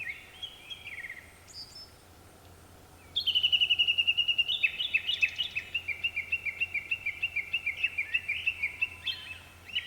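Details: Japanese thrush, one of several singing at dusk; after three quiet seconds comes a loud, sustained run of quick, sharp repeated notes that continues to the end, with a low steady hum underneath.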